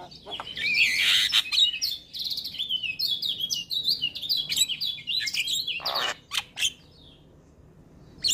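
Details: Male Javan myna singing hard in the morning, packed with fill-in phrases: rapid twittering chatter and high squeaky notes pour out continuously, with a harsh rasp near the end before trailing off.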